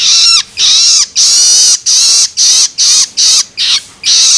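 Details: Loloan begging calls of a juvenile long-tailed shrike, used to stimulate adults: rough, buzzy shrieks of uneven length, some long drawn rasps and some short, with brief pauses between.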